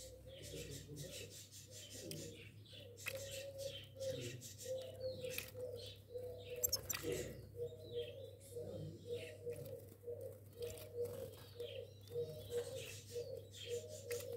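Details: A pair of goldfinches giving irregular, rapid twittering chirps and short sweeping notes, bursts crowding together then thinning, over a steady low hum throughout.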